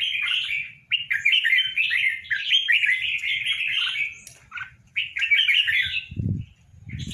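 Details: Red-whiskered bulbuls, a tame caged pair, singing lively bubbling phrases of fast chirps and slurred whistles in long runs, broken by short pauses, with low thumps near the end.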